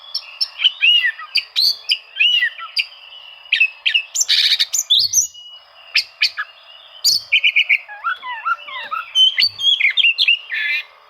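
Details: Oriental magpie-robin challenge song for provoking silent birds to sing: busy, varied warbling with sharp whistles, rapid chattering bursts and falling slurs, over a faint steady background hum.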